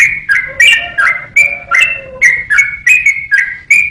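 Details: Bubbly whistled song of a yellow-vented bulbul, used to train songbirds, in fast repeated notes near three a second, accompanied early on by a faint low humming tone.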